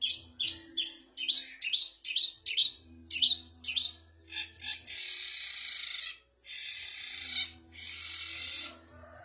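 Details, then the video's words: Long-tailed shrike imitating bulbul, canary, fighting sparrow and prinia. It opens with a rapid series of sharp, downslurred chirps, then shifts to several dry, buzzy, insect-like trills lasting about a second each. "Burung cendet materi kapas tembak, kenari, gereja tarung, ciblek"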